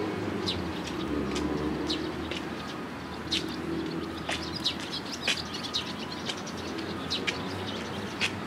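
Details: Sparrows crowding around food at a Tenmangu shrine on 11 April 2018, giving many brief, high, overlapping chirps throughout, with low droning background noise and possible wing flutters.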